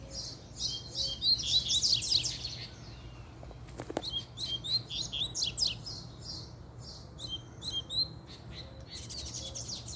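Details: Male double-collared seedeater, described as fiery, delivering a puxada song: rapid high twittering in repeated bursts, loudest near the start, broken by a brief click, then resuming in quick strings of sharp notes over low hum.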